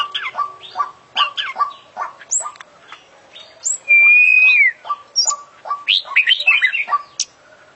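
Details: Singing kacer (oriental magpie-robin) in full-isian style after international champion birds: quick chips and clipped notes, a long pure whistle gliding slightly down in the middle, then varied high chattering phrases.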